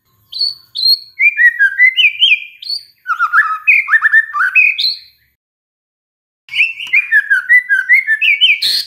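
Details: Lure-triggered White-rumped shama song: fast sequences of sweet whistled notes and sharp chips, varied phrases in three bursts separated by short silences, one a longer pause near the end.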